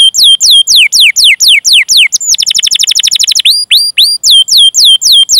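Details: Canary, long chirping song used to prompt young or silent canaries to sing: rapid series of descending whistled sweeps, a fast rolling trill in the middle, then repeated rising-falling chirps about four per second.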